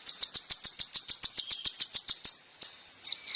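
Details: Song of the kolibri ninja (olive-backed sunbird), recorded to train caged birds: a quick, steady run of high piercing chips, about six per second, then a few sliding whistles and two lower buzzy notes.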